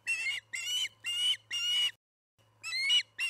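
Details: Evening feeding at the Charlo osprey nest, 6pm, July 9, 2019: long, rough, wavering whistled cries repeated about every half second, a brief break, then more of the same over a low background hum.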